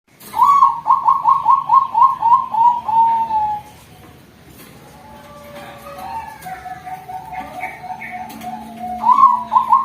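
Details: Female zebra dove, Bangkok type, kept at a bird farm as a future breeding hen, calling: a series of fast rolling coos, then a quiet stretch with soft lower notes, and the rolling coo resuming at the end.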